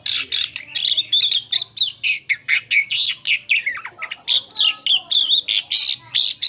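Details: Asian pied starling song used as a lure to draw in other birds: rapid, varied string of harsh squawks, chattering notes and whistled slurs packed closely together, loud and continuous throughout.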